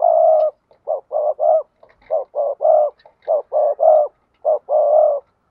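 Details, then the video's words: Spotted dove, a keeper's bird, giving the 'gáy thúc gù' and 'gáy gọi' coos: low, hollow cooing notes in quick phrases of three to four, with short gaps between phrases and no other sounds. "cu gáy thúc gù và gáy gọi"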